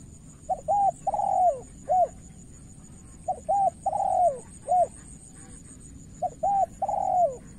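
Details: Spotted dove in a decoy contest with a skilled rival, cooing in repeated phrases: two short notes, a long wavering coo, and a short final note, each phrase roughly every three seconds, with faint high background hum.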